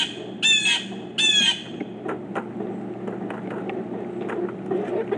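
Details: Two strident, buzzy squawks from pileated woodpeckers, four birds present, spaced about a second apart, followed by scattered faint taps and a low rumbling background.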